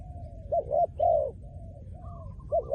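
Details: A spotted dove, trained as a decoy, gives two quick low coos and then a long, mellow, falling coo. Soft drawn notes follow, and a fresh pair of coos closes the clip.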